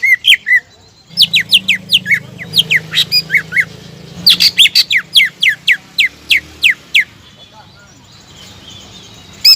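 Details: Greater green leafbird lure song for provoking rival birds: a few whistles, then a dense burst of sharp, rapidly repeated sweeping notes lasting about six seconds before fading to near silence.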